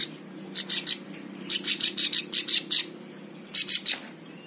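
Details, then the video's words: Prinia (ciblek sawah), used as master song for training other birds, gives bursts of harsh, buzzy, high-pitched notes, three to eight in quick succession, with short pauses between runs over a faint low hum. "Ciblek sawah cocok untuk masteran semua burung"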